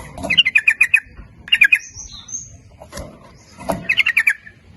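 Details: Lively sooty-headed bulbul lure song, nguplik ropel style, to call in males and females: rapid rolling run of bubbly notes, a short echoing phrase, then another rolling burst, with faint high whistles.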